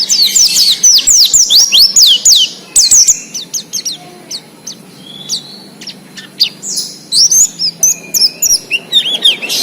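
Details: Wild Oriental white-eye singing, used to coax captive birds into song: a rapid stream of high, sharply falling whistled notes, roughly two a second, then scattered thinner chirps and a few longer slurred whistles.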